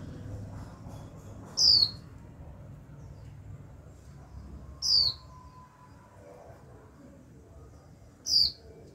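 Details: Young female Japanese white-eye repeating its 'chíu' call continuously to trigger male singing: three piercing downward-slurred whistles spaced roughly three seconds apart, with low ambient rumble between them.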